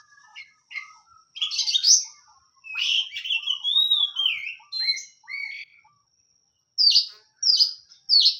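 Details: Oriental magpie-robin song of long slurred whistles and scratchy notes broken by short pauses, ending with three sharp, buzzy calls.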